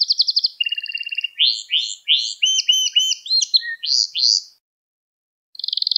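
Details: Gloster canary delivering song meant to excite other canaries: a brisk trill, then slower, evenly spaced rising chirps about three per second, a brief silence and a renewed fast trill.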